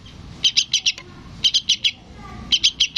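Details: Yellow-vented bulbul chick calling for its parent with three quick groups of four high, piercing chirps, each group roughly a second apart.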